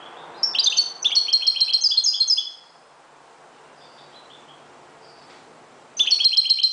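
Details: Dawn song of a Moroccan goldfinch: a rapid high jingling phrase of liquid twitters lasting about two seconds, a few faint thin notes in the quiet gap, then a fresh tinkling phrase begins.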